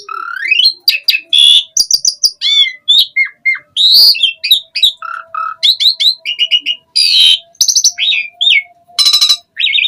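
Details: Asian pied starling in a long 'gacor full isian' song: a rapid, ever-changing stream of rising whistles, harsh rasps, clipped chips and low paired hoots. A faint steady tone hums in the background.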